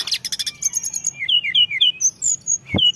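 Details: White-browed shortwing song from a lure recording full of fills: rapid buzzy trills give way to clear whistled notes sliding up and down, then high sharp chips, delivered quickly and tumbling.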